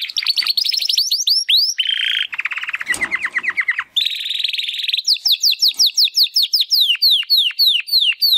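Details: Practice singing by young Timbrado canary males, two brothers hatched in 2020's second breeding, first attempts after first molt: quick descending slurred notes, lower buzzy trills, a rolling trill, then a series of sharp falling whistles repeated steadily.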